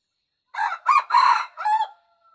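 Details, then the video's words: Wild red junglefowl crow: four loud, harsh, rasping syllables in quick succession, the third longest and strongest, the last trailing into a faint thin tail, clean and close without background noise. "Suab Qaib qus Qua"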